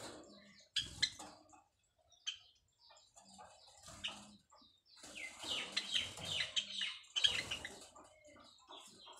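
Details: Nesting white Java sparrows in their first breeding attempt, calling to mate: sparse high chirps and clicks in irregular groups, a busier cluster of overlapping notes near the end, with rustling and wing flutters.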